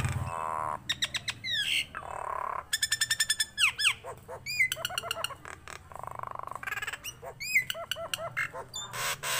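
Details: A tame Nias hill myna sings energetically, alternating loud, sweeping whistles that rise and fall with buzzy, nasal bursts and rapid rattling sequences of ringing notes.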